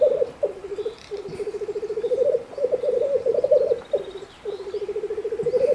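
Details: Displaying male black grouse, Bavarian Forest in Germany, spring lek: loud, almost continuous low bubbling cooing in long rolling phrases with short breaks between them.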